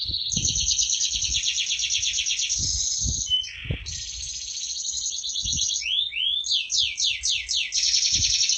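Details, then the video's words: Canary singing a long, fast rolling trill of high buzzy repeated notes, briefly broken by a lower whistled note, then resuming with sweeping slurred syllables; low thumps and knocks in the background. "Burung kenari gacor berprestasi."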